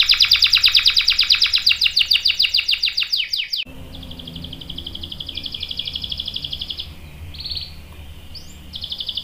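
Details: Canary lure song: a loud fast trill of sharp repeated chirps for about three seconds, then softer, more distant high buzzy rolls in short bursts with a faint low background hum.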